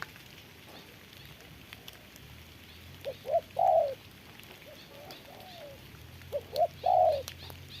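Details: Decoy spotted dove in a trap, facing off with a wild bird during rain: two phrases, each of a couple of quick soft notes leading into one longer, rolling coo, about three seconds apart over a quiet background.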